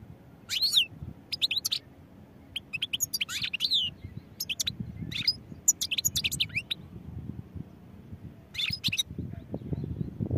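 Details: Goldfinch song made of rapid high twittering phrases, sharp chirps and descending slurred notes, delivered in irregular bursts across the recording with short gaps; faint low rumble underneath.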